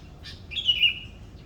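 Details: Bird singing in the morning in Indonesia: a brief chirp, then a bright, slightly wavering whistled note held for about half a second, with a faint hiss beneath.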